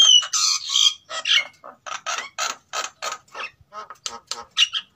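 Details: : a captive Sulawesi white-necked myna pair, male and female, bred in captivity and singing in breeding condition, used as a lure sound. A run of harsh, rasping chatter notes at about two per second, opening with clear whistled slides.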